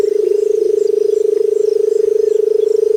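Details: Barred Buttonquail, recorded in Sri Lanka, gives a low, steady, purring hum that throbs rapidly throughout, with faint music behind it.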